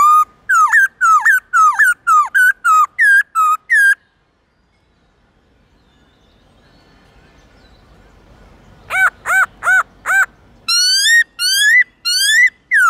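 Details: White-cheeked laughingthrush in a morning song of many forest voices for training young birds: rapid runs of hooked whistled notes, a quiet pause of several seconds, then renewed bursts of rich harmonic whistles.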